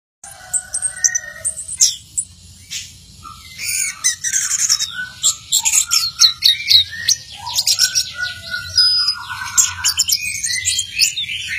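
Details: Orange-headed thrush in full song, a rich rapid medley of varied whistles, slurred notes and sharp high chirps with short buzzy phrases, delivered continuously without pause.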